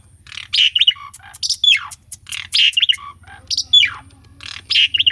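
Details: Asian pied starling delivering its energetic song, used as a lure to get silent birds singing; one phrase of harsh buzzy notes, a sliding whistle and a falling sweep repeats roughly once a second over a faint low hum.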